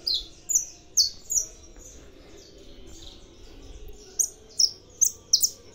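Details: Captive saffron finch from a breeder's aviary singing: sharp high chirped notes in two bursts, a short run at the start and a quicker cluster near the end, separated by a quiet pause.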